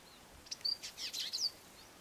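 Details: Male Dusky Indigobird calling from an exposed branch: faint, high chirps and short whistled notes in quick scattered bursts, over quiet background hiss.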